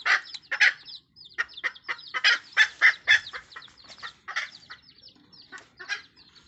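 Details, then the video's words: Red junglefowl hen gathering her chicks, a fast, excited run of loud gruff clucks, several per second and fading toward the end, over continuous high-pitched cheeping from the young birds. "TIẾNG GÀ MÁI MẸ RỪNG GỌI GÀ RỪNG CON suab poj qhaib qus nriav me nyuam"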